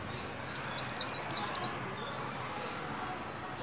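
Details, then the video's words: Caged white-eye under song training at the 2021 new year: five shrill descending whistles in a rapid burst, then faint thin notes and the start of another phrase. "Vành khuyên líu hay đón mừng năm mới 2021! Cùng kích bổi luyện khuyên nào!"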